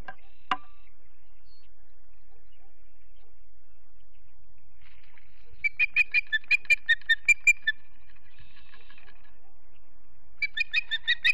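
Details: Osprey family at a nest in Charlo, Montana, late in the day before sundown in September: a series of short, sharp whistled chirps repeated rapidly, about eight in quick succession, then another burst after a pause.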